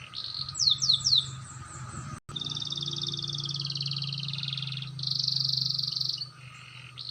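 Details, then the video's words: Canary learning to roll, with a clear voice; opens with a few sweeping downslurred notes, a brief gap, then long buzzy high trills and a louder rolled phrase, while a steady low rumble continues beneath. "burung kenari belajar ngerol suarany jernih"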